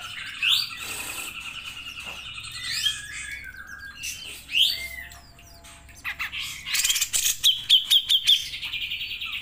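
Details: Grey-cheeked bulbul, a training recording for songbird keepers, singing a long varied song: scattered whistled phrases and squeaky notes, then a rapid run of bright repeated chips near the end.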